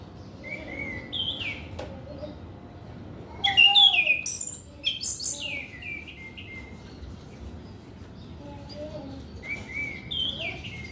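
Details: Orange-headed thrush singing, used to prompt untrained young males: a few soft whistled phrases, then a loud cascade of rapid, tumbling high notes around the middle, fading back to gentle scattered whistles.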